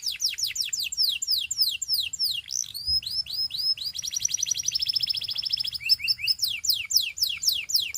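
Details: Singing Gloster canary inciting other canaries to join in: quick descending whistled notes, a brief pause, a dense buzzy rolled trill, then repeated rising chirps in even series.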